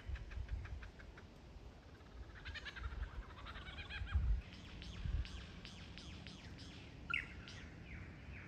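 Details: Lyrebird learning to sing ahead of the breeding season. It gives rapid stuttering trills followed by a string of sharp downslurred whistles, some faint and some clearer, over a steady low rumbling background.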